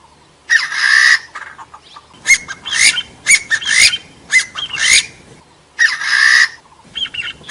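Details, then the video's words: Partridge calling, noise-filtered, used to lure and trap forest birds: long buzzy, rasping bursts frame a run of sharp squawking notes with rising whistled peaks. "tiếng kêu gà so"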